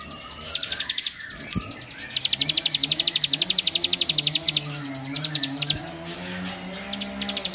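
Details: Bar-winged prinia singing to provoke other males: bursts of rapid, sharp, high chirps, about four per second, in long even runs broken by brief pauses, over a steady low hum.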